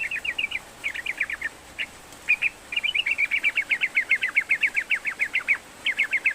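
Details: Busy yellow-vented bulbul song used to prompt a lazy bird: short bursts of quick chirps, then a long steady stream of rapid, bright repeated notes, about four per second.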